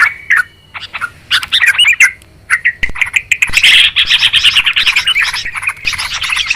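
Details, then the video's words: Clear, noisy Sooty-headed Bulbul calls used as a trapping lure: scattered chirps and short bubbly phrases at first, building into dense overlapping chatter from several birds. "Suara trucukan ribut...suara jernih buat pikat"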